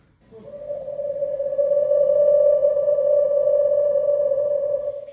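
A screech owl gives one long, steady, mid-pitched trill lasting about four seconds, its fast tremolo pulsing evenly without rising or falling.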